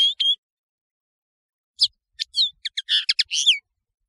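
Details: European serin, called nino in Algeria and camachu in Morocco, on a tutoring recording: two brief high phrases, a pause, then a hurried burst of sharp tinkling notes ending in a downslurred whistle.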